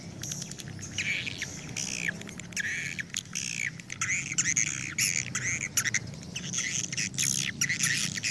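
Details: Swiftlet calls played to lure the flock home to a swiftlet house: dense, harsh chattering squawks in rapid bursts, each a buzzy arched chirp layered with high clicks, nearly continuous with brief gaps.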